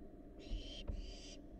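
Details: A wild barn owl fledgling in a research nest box makes one harsh, breathy hiss that breaks briefly in the middle. Faint thumps sound underneath.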